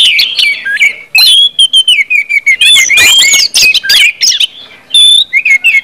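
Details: Orange-headed thrush in full open 'ngeplong' song, used to prompt other birds to sing: a loud, fast stream of varied whistled and slurred phrases, mostly high, broken by short pauses, with sharp chips mixed in.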